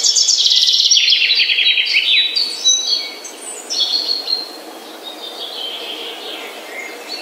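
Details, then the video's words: Morning birdsong beginning with a loud, fast trill of rapidly repeated notes, followed by descending chirped phrases and scattered high whistles that grow softer and more distant toward the end. "The Best Bird Song - Morning Bird Ringtone"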